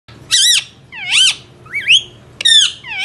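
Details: Indian ringneck parrot indoors giving four loud, harmonic, arching squawks, some rising then falling, spaced about half a second to a second apart, with a faint low hum underneath.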